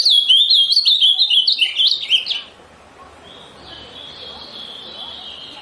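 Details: Amazonian grosbeak song: a fast run of sweet, slurred whistled notes at high pitch for over two seconds, then a fainter, thin sustained high whistle after a pause.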